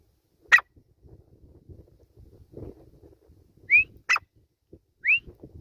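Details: Grey francolin with two clear rising whistled notes about a second apart, preceded and separated by sharp broadband clicks over low scuffling noise.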